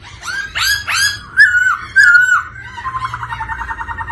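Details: Black-throated laughingthrush song with the female 'ro ro' call meant to stir males: two harsh upswept notes, two bright level whistles, then a steady, fast rolling trill to the end.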